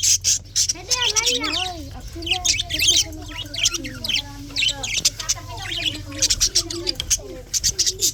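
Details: February 24, 2024 morning budgie chirping: lively string of looping warbled notes and sharp high chirps, bursts packed closely with short pauses between them.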